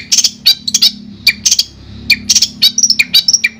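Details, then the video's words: Long-tailed shrike singing for a shrike that no longer sings: irregular sharp chirps and high whistled notes in short clusters, over a low steady hum. "Terapi Suara Untuk Cendet Macet"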